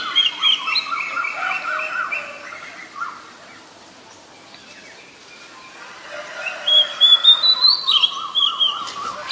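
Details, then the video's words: Oriental magpie-robin in the wild sings loud, varied whistled phrases in rapid pulsed bursts, a pause of quieter notes mid-way, then another vigorous run of rising and falling whistles. "Gacornya Suara Burung Kacer di Alam Liar"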